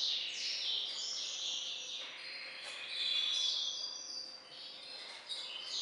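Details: A captive-bred hybrid finch of Carduelis carduelis balcanica parentage sings a fast, high, tinkling warble of twitters and buzzy trills that runs on without pause, with a faint steady hum underneath.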